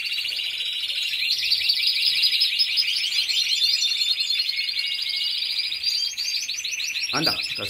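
A canary sings a continuous rolling, trilled song of rapid high notes and metallic rattles, with a brief low thump near the end.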